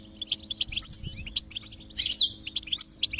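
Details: Short burst of goldfinch song to stimulate a silent goldfinch: sharp, high chirps and a rising buzzy trill near the two-second mark, packed closely together over a faint low hum.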